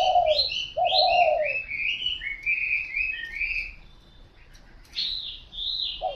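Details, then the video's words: Spotted dove giving low, soft two-part coos, a short note then a longer hollow one, near the start and again at the end, with busy high chirping and twittering from other birds throughout. "Cu gáy"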